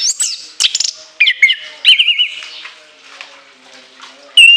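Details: Orange-headed thrush singing shrill high bursts with a long, varied fill: sharp whistled notes, a wavering warbled trill near the middle, then a quieter stretch ending on a loud clear whistle.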